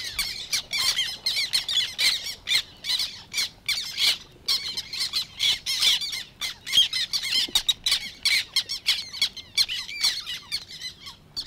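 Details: Black Terns recorded among Matsalu reed beds in 1979: a long, restless stream of rasping squawks and clipped notes from many birds, pulsing in quick bursts almost without pause.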